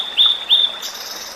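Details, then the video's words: Tledekan laut (sulingan laut) in the wild, a migratory bird with a flute-like song; two clear, steady whistled notes with a short upslur at the start, followed by faint high hiss. "Terapi burung Tledekan Laut/Sulingan Laut | Burung dialam liar"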